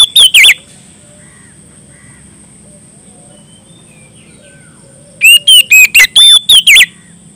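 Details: Loud Oriental magpie-robin calling a rival. Three quick ringing whistles open, then after a long quiet gap comes a fast phrase of seven looping, clear whistled notes. A thin steady high tone is audible throughout.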